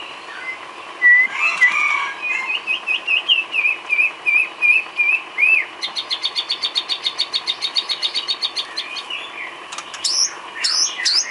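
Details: White-rumped shama filler song for training cage birds: clear whistled notes sliding up and down, then a fast run of rapid repeated buzzy notes, ending in sharp rising whistles.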